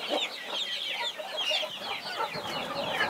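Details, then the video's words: Mother hen protecting her 21 baby chicks; quieter, continuous high twittering peeps from the chicks blend with soft, low hen clucks. "Mother hen protecting her 21 Baby chicks"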